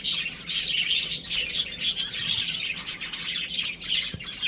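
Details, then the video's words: Chicks playing at home, several birds cheeping in quick high, thin notes, overlapping chirps steady throughout with a faint low thump near the end. "Cute Baby Chicken Chirping Sounds | Beautiful Chicks Playing @ Home"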